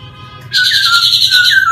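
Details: Laughingthrush delivering one loud, ringing whistled phrase that starts suddenly and wavers gently before dipping lower at the end, bright overtones above it.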